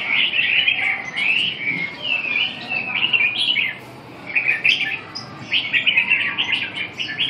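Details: Red-whiskered bulbul in full song, a long sequence of sweet warbling whistles with looping pitch changes, one brief pause midway, then a fresh burst of quick trilled phrases.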